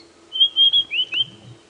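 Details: A male White-browed Scrub Robin perches and sings in Djuma Game Reserve around sunrise, about 6 AM on 5 September 2016. It gives a quick phrase of clear, high whistled notes, some slurring down and up.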